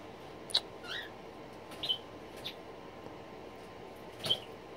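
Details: A green-rumped parrotlet chick aged 2 weeks 3 days, at its first handfeeding, gives four or five thin, high squeaks spaced irregularly over a few seconds, with soft handling clicks and quiet room noise.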